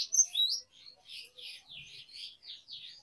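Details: Canary song used as singing training for young canaries, with long rolls: a short burst of bright, varied chirps and whistled notes, then softer repeated warbled phrases about every quarter second, with no other sounds.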